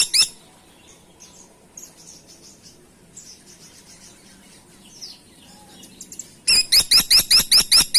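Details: Long quiet passage with faint high chirps of other birds, ending in a sudden fast series of seven harsh, upward-hooked notes from a Grey-and-buff Woodpecker.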